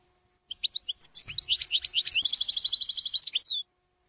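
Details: European goldfinch singing Jordanian-style phrases from an error-free training tape: a few spaced chirps build into quick twittering, then a fast, level, tinkling trill that closes with a falling slur.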